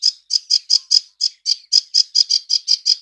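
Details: Sedge warbler (Acrocephalus schoenobaenus) call: a run of harsh, scratchy chattering notes, about four or five per second, steady and dry, with no other sounds.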